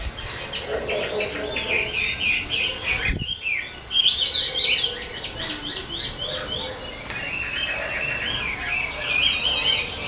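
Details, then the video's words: Chinese hwamei of the 'mơ' colour type, a keeper's prized bird, singing a dense, varied run of quick warbled and whistled phrases, rising and falling notes tumbling together with hardly a pause, under faint background hiss. "Họa mi mơ siêu vip bộ cực đẹp, hót cực hay của nghệ nhân"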